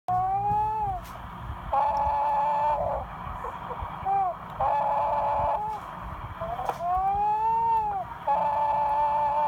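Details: Chicken snoring while asleep: long steady tonal whines alternate with shorter arched notes that rise then fall, about one sound every two seconds, over a low background hum.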